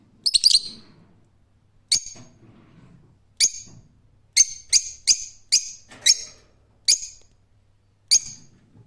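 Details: A tight cluster of screeches, then spaced single harsh calls from a rose-ringed parakeet, about a dozen in all, over a faint low background hum.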